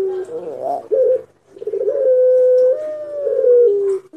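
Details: Long-voiced pelung Barbary dove giving a lure coo: a short rising burble and clipped note, then a long steady coo held about two seconds that steps up slightly and trails downward at the end.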